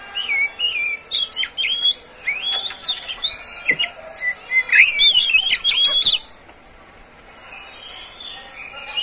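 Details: Caged Oriental magpie-robin owned by the recordist, song meant to prompt other birds; fast, varied sweeping whistles and sharp chips for six seconds, then near silence with a faint thin whistle.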